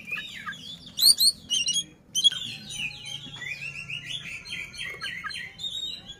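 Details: Oriental magpie-robin singing with an opened tail to stir up a rival: a few sharp rasping notes, then a steady stream of quick whistled slurs repeated in a lively pattern.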